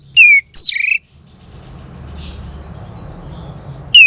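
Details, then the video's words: Orange-headed thrush (anis merah) from northern Bali, Singaraja, gives two loud descending whistled notes, then a pause over soft background hiss, and a third falling whistle at the end. "Terap1 Suara ANIS MERAH Macet Bunyi Agar Mau Kenceng Dengar Kicauan Ini."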